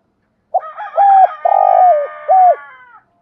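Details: Decoy spotted dove calling in the morning to stir other doves into calling; a series of hoarse, level coos with a drawn-out middle note, ending in a short falling coo, over about two and a half seconds.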